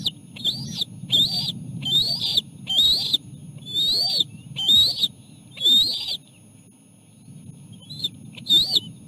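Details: Osprey at a nest while the male brings a small fish and feeds the chicks and the female arrives to take over. Loud high whistled chirps, each rising then falling, repeated about once a second.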